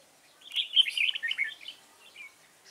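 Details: A red-whiskered bulbul sings in a trapping session that uses a lure bird, dated 29 June 2018. It gives one lively, rapid phrase of liquid, chattering whistles lasting about a second, then a faint trailing note.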